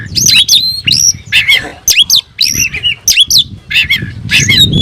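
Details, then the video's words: Singing oriental magpie-robin, a kept bird described as looking for a rival, delivering bursts of loud rising and falling whistles mixed with scratchy chattering notes, separated by brief gaps, over faint low background noise. "suara burung Kacer mencari musuh"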